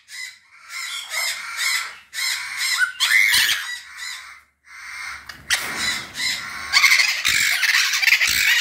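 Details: A pet pair of White-fronted amazons mating in the morning gives harsh, raspy squawks with bright whistled edges in quick, uneven bursts, several per second, with short pauses between runs; the hen whistles.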